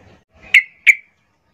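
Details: Female Yellow-vented Bulbul calling males, played as a lure to draw them out: a pair of quick, clipped, high chips spaced roughly 0.35 seconds apart after a brief soft background murmur.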